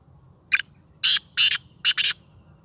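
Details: Captive Sindhi black francolin, tame and lively, giving its first call. The harsh, grating phrase runs short note, two longer notes, then a rapid double, over slight low background hum.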